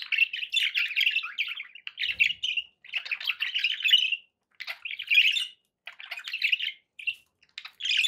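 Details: Pet budgerigars warbling in long scratchy phrases, each a second or so, split by short silences, with a faint soft knock near the middle.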